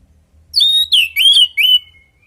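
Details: Orange-headed thrush song used as a lure and training recording for kept birds: four loud, clear whistled phrases in quick succession, the first steady and high, later ones dipping and wavering, ending in a thin trailing note.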